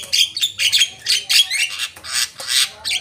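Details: Javan myna calls for luring birds, a continuous run of harsh, buzzy squawks with short whistled accents, repeated several times a second.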